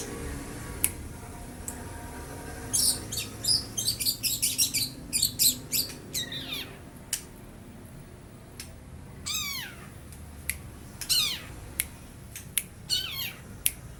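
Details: Young long-tailed shrike mimicking lovebird and house sparrow: a quick string of sharp high chirps, then sparse ticks and two loud descending squeaky notes, with long quiet gaps between sounds.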